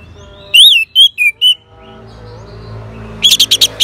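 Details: Orange-headed thrush in northern Bali reacting to a lure with several loud, slurred rising-and-falling whistles, a brief lull, then a quick cluster of sharp high chirps.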